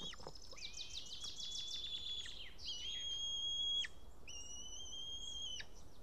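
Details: White-tailed eagle nest, Estonia, 8 June 2018, 12:54 pm, male returned after ringing bearing a fish that he dropped. Rapid burst of short chippering notes, then three sustained level high whistles, each ending in a steep fall.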